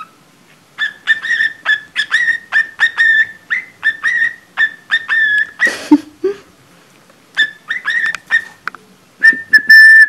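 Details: Imitation of a cockatiel's Mickey Mouse Club March whistle by a pet budgerigar, poorly sung: a run of clipped, evenly spaced whistled notes, a brief noisy burst midway, then more notes and a held tone.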